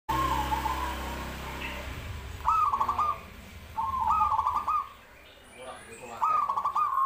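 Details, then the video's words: Zebra dove cooing: a short stuttering series of rapid, even, mid-pitched coo notes, the phrase repeated about every two seconds, over a low background hum. "suara perkutut"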